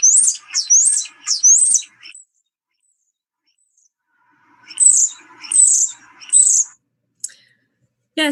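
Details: European Starling song ending with loud high-pitched screeching notes that carry far: three shrill squealing phrases, a silent gap of about two seconds, then three more, a short squeak, and a final abrupt burst.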